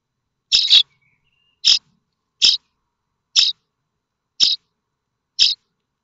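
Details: Common starling nestlings, Théding, France, 7 May 2024, waiting for food from their parents; six short wheezy, scratchy high calls about a second apart, the first one doubled.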